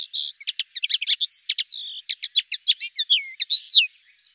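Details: A common linnet, small rosy-breasted finch, twitters rapidly: choppy rattled notes, brief trills and a few sweeping slurred whistles in a steady flowing warble lasting about four seconds.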